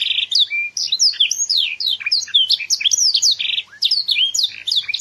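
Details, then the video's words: Young Yogyakarta canary in full, loud song: a dense stream of clear whistled sweeps, some dropping and some climbing, with a buzzing trill at the start and near the end. "CANARY MUDA SUARA MENGELEGAR"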